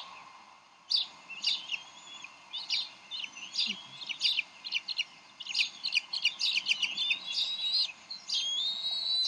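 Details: At the Decorah nest on 30 May 2012, bald eagle parents argue over a fish brought for the eaglet. After a quiet start, sharp piping notes quicken into a dense chittering flurry, ending in a drawn-out whistle.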